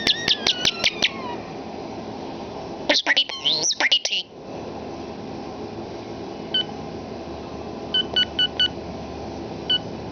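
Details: Common starling that loves to talk, mimicking human speech indoors: a fast run of bright harmonic whistles opens, then a dense squeaky chatter burst, followed by scattered electronic-like beeps repeated in short groups.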